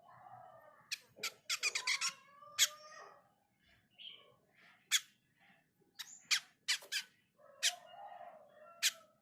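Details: Mini jenggot bird singing actively and looking dazed: harsh, rasping chatter bursts in quick irregular clusters, mixed with short clear whistled notes, some falling, with a faint low hum behind.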